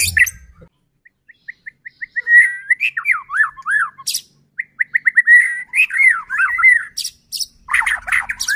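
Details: White-rumped shama song used as a lure to make other shamas sing: soft spaced ticks building into a fast chattering stream of whistled notes, with sharp high clicks toward the end.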